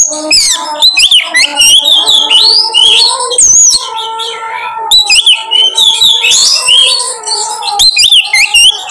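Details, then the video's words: Oriental magpie-robin (kacer) lure song, meant to make other kacer open up their repertoire: loud, varied whistled phrases with rising and falling slurs, rapid chirps and buzzy notes, over a steady low droning tone. "pancingan KACER paling ampuh bongkar materi"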